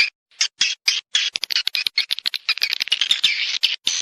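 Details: High, rasping swiftlet chirps used to entice birds to breed and nest, broken into irregular bursts with sharp clicks between them, growing denser toward the end.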